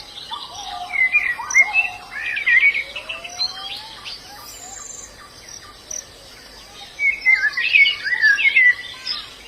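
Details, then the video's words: White-eye twittering in the wild, two clusters of fast high chirps and whistles separated by a quieter gap, with a lower rising whistle from another bird and faint insects. "Suara burung Pleci dialam bebas"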